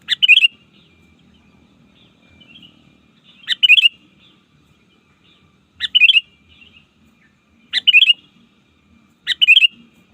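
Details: Sooty-headed bulbul song used to lure opponents in the wild, five brief bubbly phrases over ten seconds, each opening with a sharp note followed by a fast cluster of liquid whistles, repeated at irregular gaps, faint low background hum.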